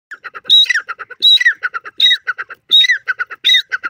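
A francolin gives loud, harsh squawking phrases about every three-quarters of a second, with quick chattering notes between them.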